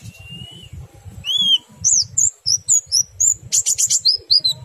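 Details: Oriental white-eye song meant to prompt other white-eyes to join in, in ngerol and ngriwik style: a few clear rising whistles, then quick bursts of high sharp chirps repeated several times a second, with a low hum underneath.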